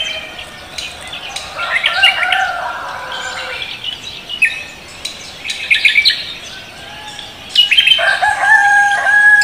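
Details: Leafbird known as cucak kombo greeting the morning: varied warbling and chattering, building into louder, richer whistled phrases toward the end.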